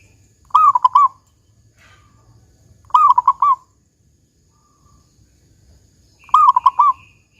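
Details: Zebra dove of a local strain giving its 'kung besar' song, meant to lure other doves into singing: three loud, bubbling, trilled coo phrases, each about half a second long, spaced roughly three seconds apart over a quiet background.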